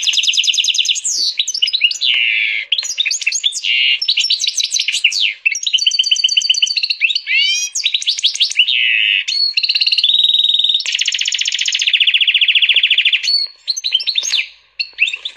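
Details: Canary x European goldfinch hybrid singing at length, loud continuous medley of fast trills, buzzy rolls and sweeping whistles with hardly any pauses.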